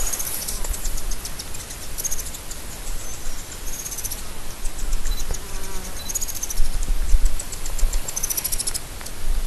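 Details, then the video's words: Blue-bearded Helmetcrest (Oxypogon cyanolaemus) gives bursts of very high, rapid ticking notes every couple of seconds over strong low wind rumble. "Oxypogon cyanolaemus (Blue-bearded Helmetcrest)"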